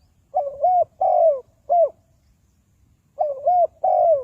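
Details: Spotted dove used to attract wild doves for trapping repeats its low cooing phrase twice, each a set of three hollow notes, one drawn out and falling, with a pause of over a second between phrases.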